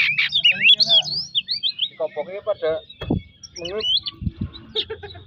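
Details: Kacer lure song meant to stir a rival into singing: swooping high whistles open it, followed by lower stuttering rattled notes and scattered sharp calls, with faint low background murmuring.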